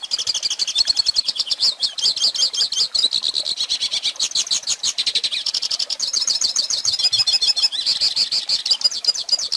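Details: Hooded siskin song recorded for teaching young birds to sing: a long, rapid, unbroken twittering of high, sharp notes with quick trills and buzzy chirps, shifting in pitch from phrase to phrase, loud and close with no other sounds.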